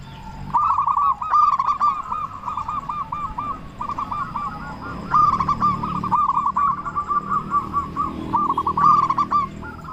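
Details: Local Indonesian zebra dove, a strong loud singer, used as a lure to prompt other doves to sing; mellow, bubbling cooing phrases repeated almost continuously, each a quick trill of soft notes ending in a longer coo, with faint chirps of other birds behind.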